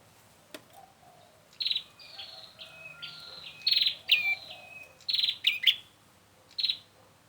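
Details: Bar-winged prinia lure sound for trapping, heard at a distance: thin, drawn-out high tones and stepped whistles mixed with louder buzzy bursts, some doubled, over a quiet hiss and faint lower notes.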